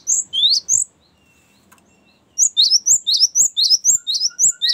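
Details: Cinereous tit giving a long rolling "ngerol panjang" song, meant as a lure and as a training model for other birds. A few high chirps, a pause, then rapid two-part high notes repeated about twice per second.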